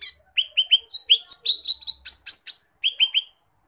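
Lesser green leafbird pouring out a fast run of bright, slurred chirps and whistles, high and varied, in quick bursts with brief pauses; nothing else heard.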